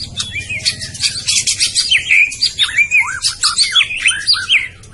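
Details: A Medan murai batu, or white-rumped shama, sings a quick sequence of bright slurred whistles and rolling chirps, evenly paced, above a low background drone.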